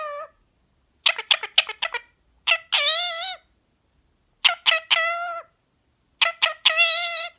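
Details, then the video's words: Green pied male Indian ringneck parrot talking when relaxed, repeating learned phrases like choo choo train and big big baby; quick clusters of short syllables followed by drawn-out, wavering speech-like notes, three bursts in all. "the parrot talks non stop while relaxing"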